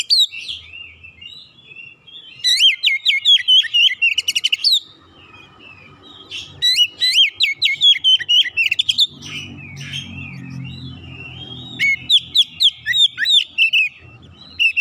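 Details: Domestic Oriental magpie-robin, an old bird, answering another bird it hears with excited 'ngoyak' singing and a full repertoire: three loud bursts of fast, sharp, upslurred whistles separated by quieter rambling phrases, with faint low background rumble.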